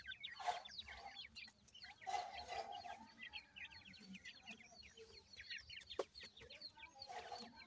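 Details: Baby partridges (teetar) kept in captivity with Iranian pheasant chicks, peeping busily while fed; many thin, falling cheeps overlap throughout, with bursts of rustling and clattering noise at intervals.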